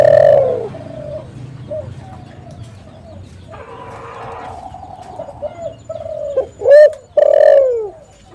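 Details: Spotted dove in lively calling form, used as a decoy for luring and trapping doves: a loud mellow coo opens, soft low murmuring notes follow over a noisy hiss, then two more loud coos close the phrase.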